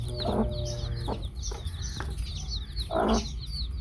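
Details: A hen gives two clear, low, throaty clucks about two and a half seconds apart among her baby chicks, whose thin, high cheeping runs throughout over a low humming background.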